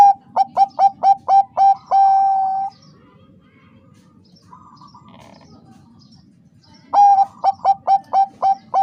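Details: Female Bangkok-type zebra dove calling the male to raise his breeding urge: a quick run of short, even staccato coos, then a longer drawn-out note, silence, and a fresh run of clipped coos.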